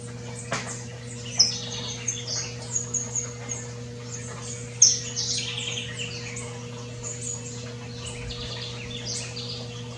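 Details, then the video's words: Wild saffron finch living free in nature, giving scattered sharp, high-pitched chirps and twitters, several close together in the first half, then fainter twittering over a constant low hum. "Canario livre na natureza"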